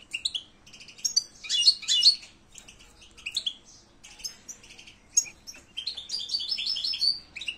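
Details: European goldfinch, silvestrismo context, in a long, busy twittering song of quick chirps, buzzy bursts and trilled runs, with short pauses between phrases.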